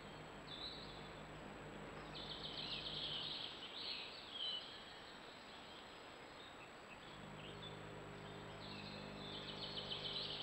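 A male Yellowhammer gives high, thin, rapidly repeated ticking calls in scattered bursts, over a low mechanical hum and steady background noise.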